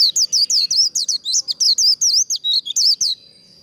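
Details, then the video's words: White-eye contest song in the 'líu' style, used to train and provoke birds to sing in contests: about fifteen rapid, high, slurred whistles in an unbroken run, each sweeping down then up, ending abruptly. "Vành khuyên líu đấu. SIÊU HAY | Kích lửa vành khuyên líu đấu"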